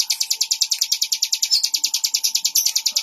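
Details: A ciblek, or Bar-winged prinia, delivers a rapid series of sharp, high notes in regular rhythm, accompanied by a low steady hum.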